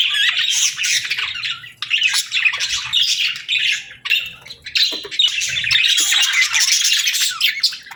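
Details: Parakeet warbling in long rasping bursts of squawks and chirps, broken by brief silences between each outpouring.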